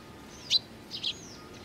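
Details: Little Eurasian tree sparrows, 19 June 2019: one sharp high chirp followed half a second later by a paired chirp, with a faint thin whistle drawn out behind them.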